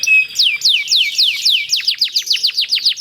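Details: Domestic canary with a long rolling song, played to lure other canaries into singing; rapid series of descending whistled sweeps from high to mid pitch, about three per second, speeding into a tighter trill near the end.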